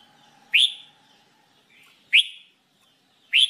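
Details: Red-whiskered bulbul in singing training repeating a loud rising whistle three times, roughly every one and a half seconds, over a faint low steady hum.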